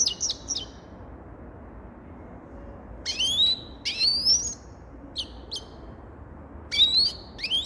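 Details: Grey-crowned goldfinch song in short separate bursts: high twangy rising slurs and clipped chirps, spaced by quiet gaps of one to two seconds.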